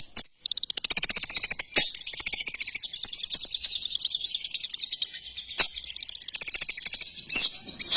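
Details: Shrike (cendet) in a rapid, high, buzzy chattering song. Dense trains of sharp notes repeat many times per second in long runs, broken by a few loud clicks, with no other clear sounds.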